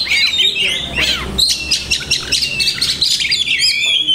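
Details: Oriental magpie-robin (kacer) singing a dense song packed with learned imitations (masteran): rapid high whistles, sharp chirps and buzzy notes that shift pitch constantly, with brief rising and falling slurs and barely a pause.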